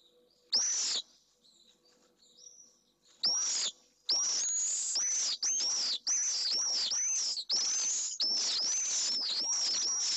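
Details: Nesting pallid swifts in a nest box in Jerez de la Frontera, Spain, a male defending the nest against an intruding bird; isolated shrill screams at first, then a rapid continuous series of harsh, buzzy screams with brief pauses.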